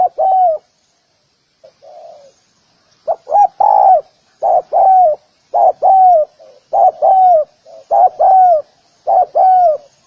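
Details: Spotted dove calling to lure other doves: after a soft faint coo, a run of loud paired coos follows, each pair a short note and a longer falling one, repeated about once a second.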